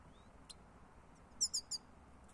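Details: European goldfinch on a lure recording: one faint note, then three quick, clear, high descending chirps in close succession. There is soft background hiss.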